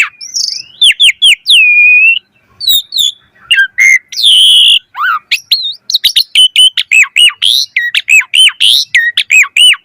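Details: Asian pied starling in full varied song for luring other starlings: whistles, a harsh buzzy note, a falling slur, then a fast run of repeated looping chirps.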